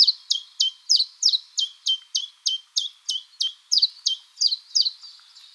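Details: A common chiffchaff (Phylloscopus collybita) sings its mating song in a spring forest, about seventeen sharp high notes, three a second, swinging between two pitches: chiff-chaff-chiff-chaff. Common chiffchaff.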